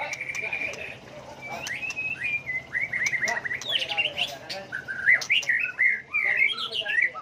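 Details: White-rumped shama song with many voices and constantly changing phrases, used to provoke other birds into song contests: clear whistled notes near steady pitch, then a run of quick rising and falling slurred phrases, with a low hum underneath.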